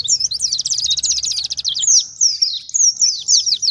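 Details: Oriental white-eye singing in the wild 'ngalas' style, used as a lure to make white-eyes respond and to train caged birds. It opens with a fast, rattling trill lasting nearly two seconds, then shifts into high, sweeping whistled phrases.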